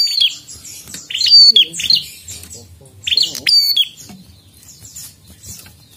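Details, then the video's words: Prinia singing energetically and non-stop, used to challenge other prinias. Two dense bursts of shrill chirps and snapping clicks, then quieter scattered notes fading out. "Prenjak Gacor Ngotot"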